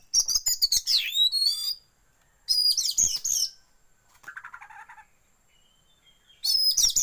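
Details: Oriental magpie-robin lure song for training kept birds to open their tails, shama filler included; rich bursts of high, jumbled whistles and chirps, with a softer, lower pulsed rattle between them.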